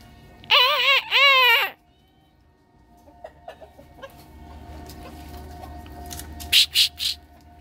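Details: Morning crow of a bantam rooster: two strong, harmonic, slightly rising-falling phrases over about one second, followed by quiet background, a few faint clicks and brief high bursts near the end.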